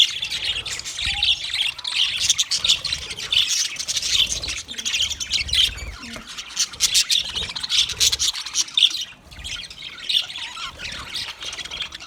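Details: Group of budgies chattering steadily for a lonely bird, a long unbroken wash of high chirps, buzzy squawks and fast warbling, easing slightly near the end.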